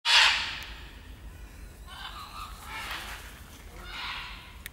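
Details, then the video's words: Red macaws flying by at Copán Ruinas, Honduras: one loud, harsh squawk, then three fainter raucous screeches about a second apart as the birds pass. "Red Macaws flying by"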